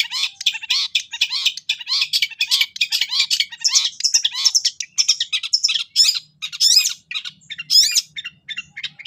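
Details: Long-tailed shrike in full, energetic song laced with cililin imitations, meant as a tutor recording for kept shrikes: dense bursts of harsh chattering and sharp chirps, then upslurred whistles and rapid twittering notes, almost without pause.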